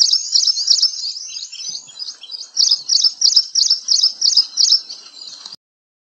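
Ashy Prinia giving a fast series of sharp, high, buzzy chips, about three a second, with quieter twittering notes in between.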